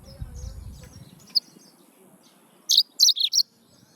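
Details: After a quiet stretch, a Yellow-fronted canary bursts into a brief run of four sharp, high chirping notes close together near the end.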